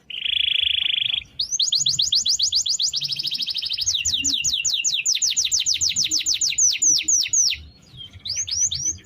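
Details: Canary singing a long rolling song used as a daily master for training other birds: a steady buzzy trill, then fast repeated rising sweeps and a dense rapid roll, closing with sharp upward whistles after a short pause.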